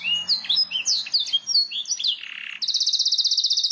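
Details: Canary singing as a master recording for teaching song: varied chirps and slurred whistles, a short buzzy rattle, then a long, even, rapid high trill to the end.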